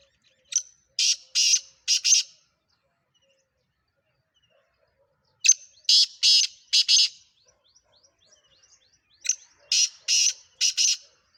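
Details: Captive Sindhi black francolin, sold as a 'speeder' bird, repeats its call phrase three times about every four seconds. Each phrase is a short lead note followed by three or four harsh, rasping bursts, with faint chirps between.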